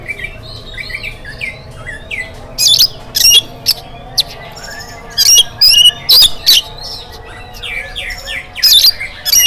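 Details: Oriental magpie-robin singing in the morning to prompt other birds: gliding whistles at first, then loud harsh bursts in groups, about two per second, over a quiet hum.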